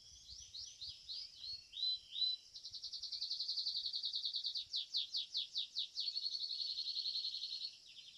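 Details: Competition Belgian canary, a domestic bird, singing a phrase of looping whistled notes, then a fast even roll, distinct sweeping syllables and a smooth sustained trill, with faint low background noise.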